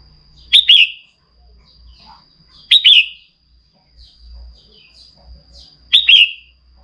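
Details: A female Red-whiskered Bulbul calls to excite males, giving three bright, quick, tumbling chirpy phrases spaced two to three seconds apart, over a faint steady high hum and low rumble.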